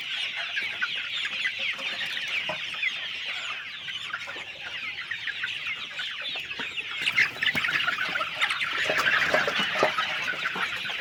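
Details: Chickens on a poultry farm: a dense, continuous chorus of many birds' high chirps and clucks overlapping without pause, growing louder and busier after about seven seconds.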